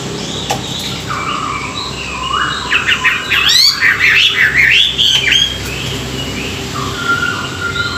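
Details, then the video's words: Chinese hwamei singing in the morning, a training song meant to rouse newly wild-caught birds: soft slurred whistles build into a loud, rapid burst of varied rising and falling phrases, then ease back to level whistles. "luyện giọng họa mi họa mi hót buổi sáng, kích bổi quá đỉnh"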